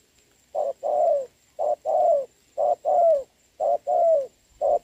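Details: Spotted dove in rain on 26 November 2022: a trained decoy bird faces a wild dove at a trap. Low, mellow coos come in paired phrases, a short note then a longer falling one, repeated about once a second.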